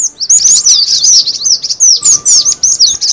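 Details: Cinereous tit lure call: lively twitter of overlapping shrill, slurred chips packed closely together, with short spaced bursts near the end.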